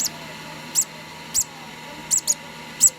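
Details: Two-day-old conure chick being hand-fed, giving five short, very high, thin squeaks at irregular intervals over three seconds, with a faint steady hum in the background.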